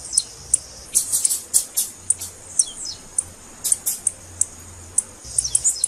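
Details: Female blue-black grassquit chipping to stimulate a male: loud, bright high chips in quick irregular clusters, several doubled, with a few short falling notes and faint low rumbling in the background.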